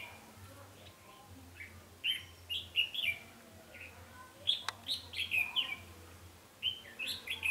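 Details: Red-whiskered bulbul decoy singing during trapping, 20 November 2015; rapid sequences of bright warbling notes, one sharp click midway, over continuous low hum.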